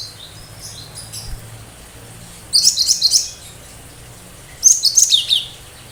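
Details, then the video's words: Cinereous tit with 'tembakan tajam' song, sharp shots said to prompt other birds to join in; faint high notes, then two loud, rapid trilling bursts of shrill chips, each about one second long. "Tembakan tajam burung lain yang mendengar pasti langsung respon"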